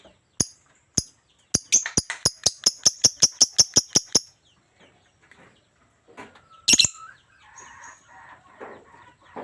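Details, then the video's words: Lovebird chattering energetically: two separate sharp chirps, then a fast run of about a dozen harsh, high, clipped chirps over two seconds, followed by scattered quieter rustling and one loud squawk. "burung Lovebird super gacor abis"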